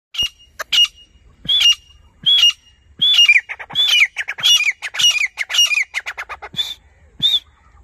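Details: Grey francolin (Ortygornis pondicerianus), call.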